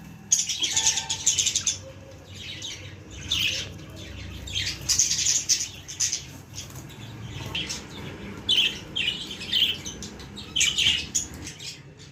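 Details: Baby budgerigar chattering in bursts of high, scratchy chirps and squeaky notes, mixed with soft fluttering and rustling between calls.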